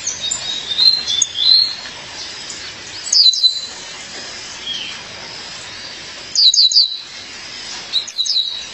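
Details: A female violaceous euphonia calls her partner with bright, clipped chip notes in clusters of two or three, separated by pauses of several seconds, plus softer thin whistles early on.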